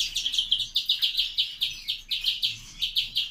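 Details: Captive-bred grey-wing mutation greenfinch repeating a bright, bouncy chirped note about four times per second in an even, rhythmic series.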